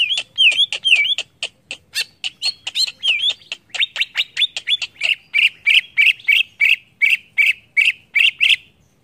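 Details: Greater green leafbird song meant to provoke other leafbirds: high, sharp notes in rapid sequence, with looping whistled phrases early on, then steady repeated chips about three per second toward the end.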